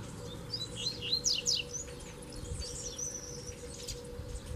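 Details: Fibre-pulling duel outdoors: a caged double-collared seedeater pair answers a strong wild black male. Steep, sharp downslurred whistles come in a quick cluster, followed by a thinner sustained high note and quieter twitters.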